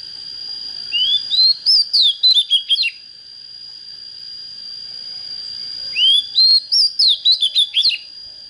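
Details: Oriental magpie-robin just coming into breeding fire, singing two phrases, each a rising whistled sweep followed by quick, sharp descending notes, with a steady high-pitched whine throughout.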